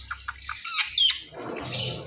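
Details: Indian ringneck parakeet vocalizing with short scratchy chirps, then a harsh, noisy squawking burst at the end.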